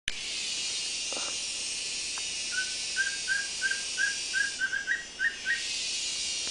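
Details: A wing-barred piprites (Piprites chloris) sings a quick run of about ten short, clear whistled notes, rising slightly toward the end, over a steady high insect hiss.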